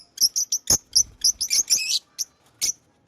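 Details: Pet lovebirds chirping in a rapid series of shrill, high-pitched chirps, several per second, rising into a brief buzzy chatter before a few spaced final chirps.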